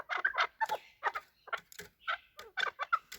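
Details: Chukar partridges fighting and calling, a hunting bird: short harsh clucking notes in uneven bursts, with a few brief gaps between groups.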